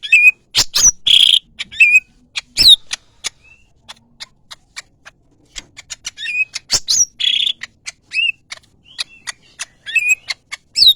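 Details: Greater green leafbird song: scattered sharp clicks and short, varied whistled phrases, some slurred and warbling, with brief pauses between bursts.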